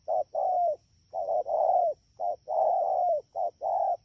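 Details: Rapid cooing of a wild-caught spotted dove, Dak To, 3/10/2019: repeated couplets of a short coo and a long falling coo, closely strung together with little pause, faint steady electrical-like tone behind.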